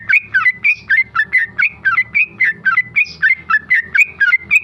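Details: Rapid 'ropel' song of a tame male sooty-headed bulbul: short clear whistled phrases repeated almost twice per second, each a quick drop then rise in pitch, steady throughout.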